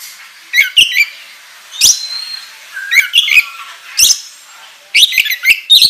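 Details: Oriental magpie-robin singing as a lure, giving crisp twittering chirp phrases in spaced groups, some notes descending, with short quiet gaps between phrases.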